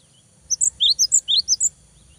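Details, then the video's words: Cinereous tit song used as bait to make a rival sing: a brisk run of about eight high, clear whistled notes over roughly a second, alternating rising lower notes with higher piping ones, in a quiet setting. "GELATIK BATU GACOR BIKIN LAWAN EMOSI !!! LANGSUNG NYAUT !!"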